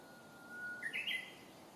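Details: Japanese bush warbler singing at Senshu Park, Akita City, on 7 May 2017, bird unseen: a long steady whistle that ends in a quick, higher warbled flourish, over a soft outdoor hiss.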